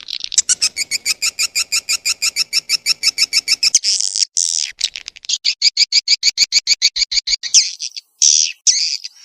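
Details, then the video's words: Swiftlet sounds from 18 August 2021: a rapid, dense train of bright chirps. Midway it gives way to harsher buzzy screeches and brief pauses, then more chirp runs. "suara walet"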